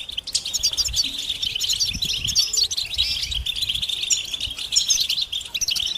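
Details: European goldfinches calling as a group, mating and readiness calls meant to stir males into song; dense overlapping high twittering chirps and short tinkling notes run continuously, with faint low hum beneath.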